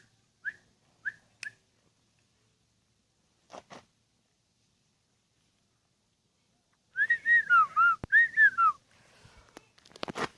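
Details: A ten-year-old caged sooty-headed bulbul gives a short burst of clear, bubbly whistled notes in a quick rising-and-falling run near the end. Before it come a few isolated brief chirps, with some clicks and handling sounds between them.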